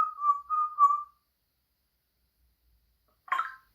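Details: Pet African grey parrot indoors making noises: a steady, mid-pitched whistled tone broken into three pulses over about a second, followed after a pause by a short, harsher, buzzy call.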